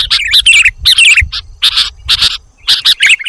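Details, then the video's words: Sooty-headed bulbul calls used to lure birds: short bursts of bright, slurred chirps in groups, spaced by brief silences, over a soft low thudding background. "audio pikat kutilang jawa dijamin ngumpul semua"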